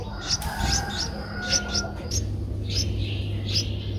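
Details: Streak-eared bulbul nestling, 11 days old, its eyes opened at seven days, Ubon Ratchathani, Thailand, 13 April 2023: a few short high chirps scattered over steady low hum.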